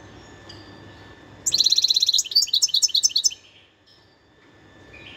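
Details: European goldfinch singing in the wild, 2021: one lively phrase of fast, bright twittering notes, a buzzy rattle run into liquid chirps, lasting about two seconds before fading to quiet hiss.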